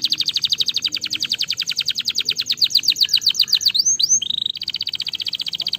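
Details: Singing canary meant to prompt lazy canaries to sing: fast repeated high trill notes, a couple of sweeping whistles, then a lower steady trill.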